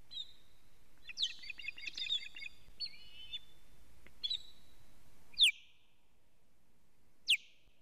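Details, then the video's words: Osprey at a Latvian live-camera nest, evening of 19 July 2017, alarm calling while the male delivers a living fish: bursts of shrill piping whistles over three seconds, then quiet broken by two sharp loud sweeping clicks. "Teo brings a living fish- alarm calling"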